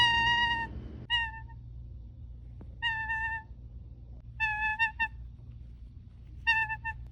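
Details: Pet toucan giving happy honks: five short nasal, harmonically rich honks in uneven bursts, some doubled, over a low steady indoor hum.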